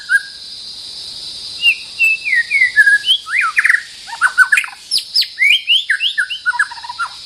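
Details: Territorial white-rumped shama giving a varied song of sweet slurred whistles that quicken into dense rapid warbles and chirps, with a persistent high insect whine underneath.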